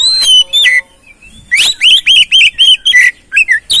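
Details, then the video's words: Lure song of an oriental magpie-robin, meant to stimulate another bird: a few clear whistles, a pause, then a rapid run of repeated short whistled notes, roughly four per second. "Pancingan Burung Kacer"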